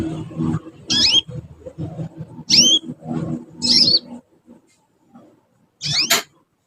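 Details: A juvenile canary practising its song gives four separate high, sweeping chirps that slide downward, spaced one to two seconds apart, with a low rumbling background that drops away near the end.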